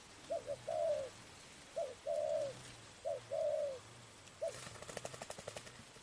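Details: Spotted dove heard while being trapped, cooing in short-then-long falling phrases roughly every second and a half. The coos are followed by a brief, dry, rattling clatter near the end.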